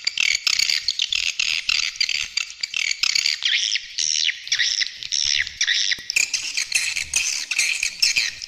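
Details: Edible-nest swiftlet lure calls with stereo supporting sounds: continuous buzzy twittering and rapid chirp series, with sharp clicks scattered throughout.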